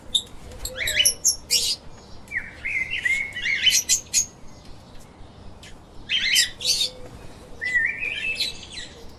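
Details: Chirping lovebirds at play, giving irregular bursts of shrill, scratchy chatter and short rising squeaks, separated by brief gaps, with steady background hiss throughout.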